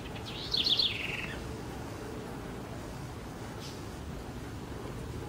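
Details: Small house wren singing in Brazil: a single rapid, jumbled trill of bright notes lasting under a second, sliding downward at its close, against constant noise.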